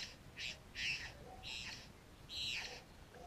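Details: Satin bowerbird in Australia, one of several visiting a garden to raid pet food, giving four harsh, rasping squawks about half a second long, spaced irregularly over three seconds, with a faint soft note between them.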